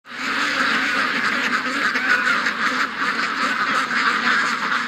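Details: A flock of more than 700 ducks and geese rushing to the lake in the morning makes a dense, continuous wall of overlapping nasal quacks with no break in the chorus.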